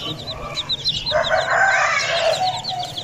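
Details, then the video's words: Aseel chicks giving a fast series of high, short peeps, joined midway by a louder, lower, drawn-out fowl call that lasts to the end. "BUTTY FULL CHICKS CUTE ASEELCHICKS SOOOO NICE CHICKS"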